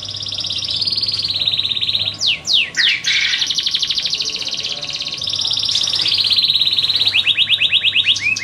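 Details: Darah Biru canary delivering long buzzy rolls broken by loud swooping whistled sweeps, then rapid rattling trills and quick repeated chirps; steady low hum underneath.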